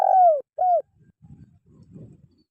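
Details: Spotted dove call, played to train caged birds that are reluctant to sing: two loud, mellow coos, the first longer and falling slightly, the second shorter, followed by faint low rustling.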